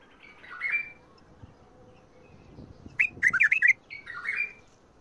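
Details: Bulbul singing in the Mandali and Badra styles, including the phrases called shadat ward, fajrli and ward tabarli: a soft warble, then a loud quick run of rich, bubbling whistled notes, and a fainter slurred phrase after it.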